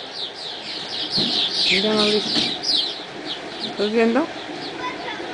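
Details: Swallows at dawn keep up a busy, high twittering chatter of quick chirps, broken twice by a lower, drawn-out voice-like call.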